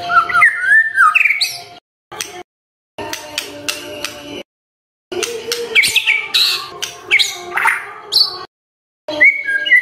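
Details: Morning shama song played so silent birds begin singing: rapid bursts of harsh chattering and whistled notes divided by short silences, closing on a clear whistle.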